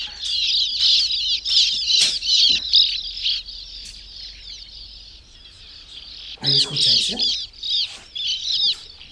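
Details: A breeding colony of sand martins nesting in burrows in a sandy riverbank makes a dense chorus of dry, buzzy twitters from many birds overlapping continuously, with a brief low thump or voice late on.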